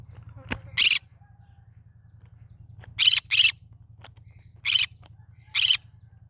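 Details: Pet green-cheeked conure, cinnamon mutation, uttering a series of harsh, grating squawks: one early, a close pair mid-way and two more toward the end. A single sharp click comes first, over a low background hum.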